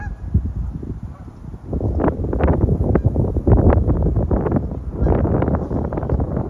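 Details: Low-flying geese scattering for cover in high winds in a park, giving a dense jumble of rough, overlapping honks that swell and fade in waves, with heavy wind buffeting the microphone.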